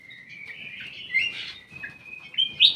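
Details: Ruby-throated bulbul singing in a private aviary: a wavering whistled line with chattering notes layered over it, ending in sharp, bright chirps.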